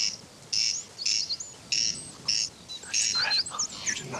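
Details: A male corncrake (Crex crex) on Tory Island, Ireland, calls from very close in the weeds, dry rasping double notes about one every half second to second; thin whistles and chirps from other small birds follow.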